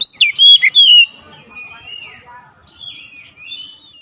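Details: Oriental magpie-robin lure song for goading other magpie-robins into singing: a second of loud, slurred whistles, then soft, thin, drawn-out whistling notes.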